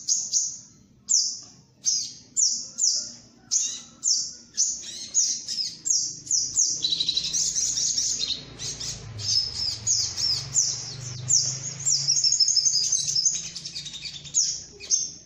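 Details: Sunbird (sogok ontong) lure call for trapping: a series of sharp high descending chips about every half second, merging into a continuous high twittering chatter, with faint low hum beneath.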